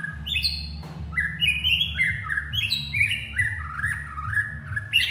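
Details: White-rumped shama calling its partner with a lively flowing song of clear whistled notes, stepping and sliding up and down, phrases linked without pause, a sharp click near the start and low hum behind.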